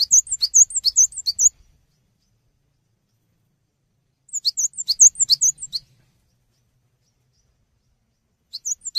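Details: Cinereous tit singing energetically, meant as tutor audio for songbirds: two bursts of quick, high, whistled phrases pairing a rising note with a flatter higher one, separated by a long pause, with a third burst starting at the end.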